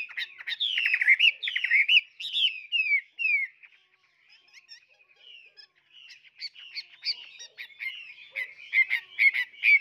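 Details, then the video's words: Tame caged Chinese hwamei singing a run of loud, sliding whistled phrases, pausing briefly, then resuming with faster, jumbled chattering and whistled notes. "Hoạt Họa Mi"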